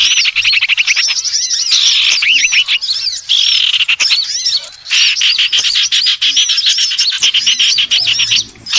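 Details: Common iora lure recording for trapping birds: dense, busy chirping with rapid repeated arched, upslurred notes in quick runs, broken by brief pauses, bright and high-pitched throughout with no other clear sounds.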